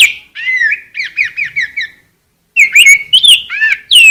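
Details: Rose-breasted grosbeak song: a quick series of slurred, bouncy whistled notes, then a half-second silence before richer warbling phrases resume, rising and falling in pitch; a clean recording with no other sounds.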